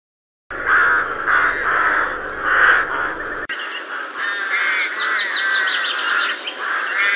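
Rooks giving harsh, grating caws, several birds overlapping in a continuous noisy chorus, with higher squabbling notes joining in the second half.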